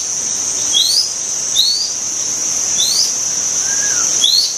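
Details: Wild white-rumped shama repeating high, thin upward-sweeping whistles about every one and a half seconds, with a lower soft slurred note, against persistent insect drone.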